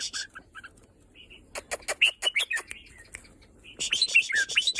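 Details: Red-whiskered bulbul, after days of holding back, giving a few soft whistles, then a run of sharp clicks and bright slurred notes that build into a lively warbled phrase at the end.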